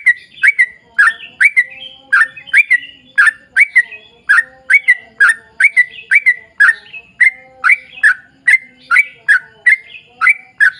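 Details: Long continuous song of a lively sooty-headed bulbul, played as a lure for other bulbuls: rhythmic, clear chirps with quick downward slurs, repeated evenly about twice a second throughout.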